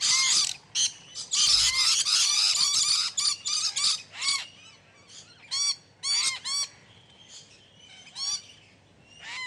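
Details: A group of captive exhibition budgerigars in lively chatter: dense raspy warbling at first, then separate sharp, arching chirps repeated roughly every half second, irregular in rhythm.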